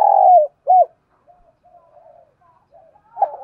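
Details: Spotted dove decoy in the morning, luring wild doves: a long low coo and one looped note, followed by faint soft murmurs and the start of another coo.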